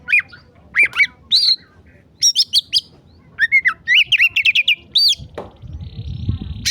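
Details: Oriental magpie-robin singing in an agitated state as a tutor recording: rapid varied whistled phrases, slurred up-and-down notes and quick chattering runs, loud and continuous for five seconds, then a brief knock and a steady faint tone.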